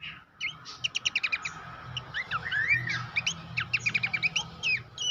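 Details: Training master of Horsfield's babbler song for contest birds: a rapid rattle of evenly spaced chirps, a rising buzzy slur, then more quick staccato bursts of high notes with brief pauses between phrases.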